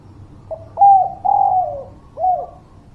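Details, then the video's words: Cooing of a spotted dove, a lure for birds unwilling to sing: a gentle lead-in note, a clear coo, a long sliding downward coo, and a final short coo, all mellow and low-pitched. "Suara Pancingan Derkuku Gacor, Burung Malas Bunyi"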